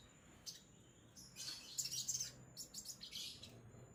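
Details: Sogon songbird producing high, thin chirps and bursts of busy twittering, with the song growing louder and denser midway.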